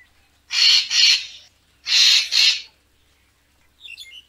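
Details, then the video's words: Harsh, grating paired notes from a racket-tailed treepie, used as a photography lure. Two double bursts come little more than a second apart, followed by quiet high twittering. "เสียงนกกาแวน คมชัด Racket-tailed Treepie sound"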